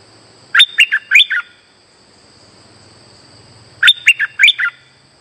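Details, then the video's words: Streak-eared bulbul singing a lure call for trapping: two matching bursts of five quick chirped notes, roughly three seconds apart, against a quiet background with a faint low rumble and high hum. "Suara pikat merbah lekir gacor"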